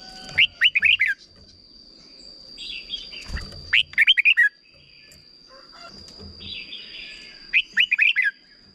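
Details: Red-whiskered bulbul, Thailand, singing the short doubled song used to train young birds: three separate bursts of four or five fast, looping whistled notes, a few seconds apart, with a thin constant high tone behind.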